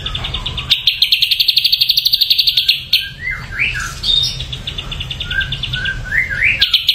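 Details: Ashy drongo: a fast, bright, rattling trill, then varied slurred whistles that rise and fall, and a return to rapid chattering at the end, over a low hum.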